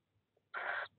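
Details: Tawny owl nestlings aged 12 and 13 days inside a breeding box at De Mortel in April 2021: a single brief, harsh hissing wheeze about a third of a second long, preceded by a faint soft note, otherwise near silence.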